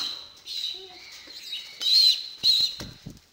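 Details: Hand-fed pigeon chick near weaning, hyper at feeding time, gives soft squeaky whines followed by two loud, shrill high-pitched squeals, with scraping and tapping sounds at the end.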